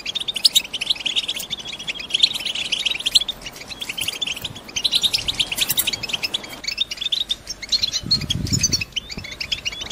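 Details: Breeding-ready female European goldfinches in a cage call to break a male's silence and prompt his song. Busy high twittering with a drawn whistled note early on, thinning toward the end, plus a brief low thump.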